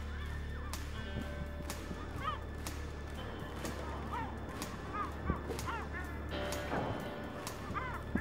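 Lesser black-backed gulls give nasal, honking calls that rise and fall, several birds overlapping, over a steady low rumble with sharp knocks.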